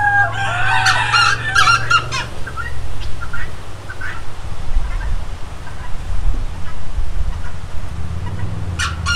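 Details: Rooster gives a loud, harsh, harmonic crow in the first second and a half. Shorter, fainter calls follow over steady low rumbling background noise.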